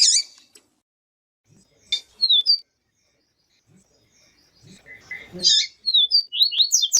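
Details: Yellow-bellied seedeater song with female calls meant to excite a male: a high sharp note opens, followed by scattered short chirps, a buzzy burst, and then a quick series of bright rising notes at the end.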